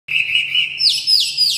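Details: Red-whiskered bulbul, described as fanning out, gives a sustained bright whistled note, then a series of sharp, high, downward-slurred chirps in quick succession, with no other clear sounds.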